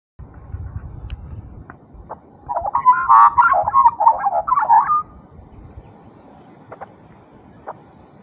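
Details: One of a friendly pair of Australian magpies gives a rich, fluting warble for about two and a half seconds, tumbling notes rising and falling, with a few faint clicks and quiet background around it.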